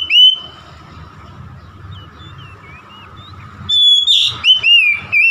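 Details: Caged oriental magpie-robin, a stressed bird said to sing at once; after a quiet stretch with faint high notes, a burst of loud, clear whistles with a sharp harsh note, over low background hum.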